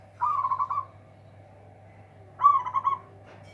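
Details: Zebra dove, a local bird prized for a loud voice that beats rivals, utters two clear rolling trilled coos, each about three-quarters of a second long and two seconds apart, against a steady low hum.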